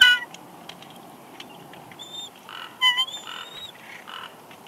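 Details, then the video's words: Female bald eagle on the nest at Big Bear Lake, California, in March, whining as the male delivers a headless fish; short high thin whistles and a drawn-out level squeal, with clicks and rustling from the nest. "Jackie Whines Softly As Shadow Brings Headless Fish"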